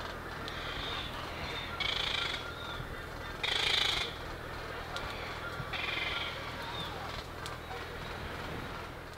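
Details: Black Noddies (Anous minutus) on Heron Island, Great Barrier Reef, Queensland, 29 July 2019 at 16:50, give harsh rasping bursts of about half a second, several seconds apart, over a constant churring hum of many other birds.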